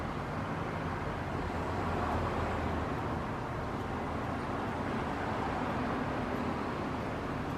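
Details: Continuous outdoor traffic rumble and road noise fill the recording, with no animal calls audible.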